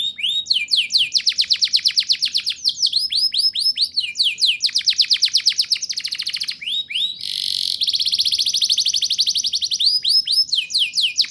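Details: Singing canary, meant to coax young birds into song, delivering continuous high trills of rapidly repeated notes broken by rising swept phrases, with a brief harsh buzzy burst midway before rolling trills resume.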